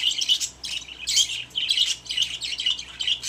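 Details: Pet budgerigars in their cage chatter continuously with dense, scratchy, high warbles and quick chirps that rise and fall without pause.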